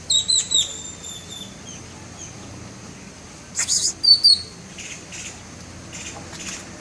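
A bird of paradise mimics a camera: thin high chirps, then a sharp shutter-like burst with clicky whistles, and softer clicks repeating near the end.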